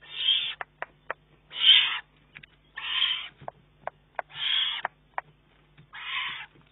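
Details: Juvenile Eurasian eagle-owl begging food from its mother on 19 June 2011, already able to feed itself yet taking prey from her bill; five loud, harsh, hissing rasps roughly every 1.4 seconds, with sharp clicks between them.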